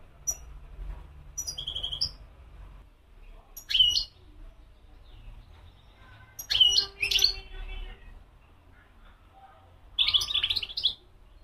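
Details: European goldfinch singing in short, widely spaced bursts of high, tinkling twitters with long quiet gaps between phrases and a low background hum.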